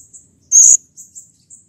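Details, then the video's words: Blue-crowned hanging parrot calling excitedly as a lure for other birds: one piercing, steady high whistle lasting about a quarter second, framed by soft thin high peeps. "SERINDIT GACOR EMOSI || Pancingan Ampuh Agar Serindit Rajin Bunyi"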